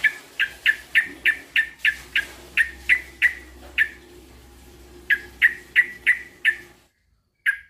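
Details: Male sooty-headed bulbul calling a rival: a long series of sharp, harsh chirps at a steady quick rhythm, set against a low background hum.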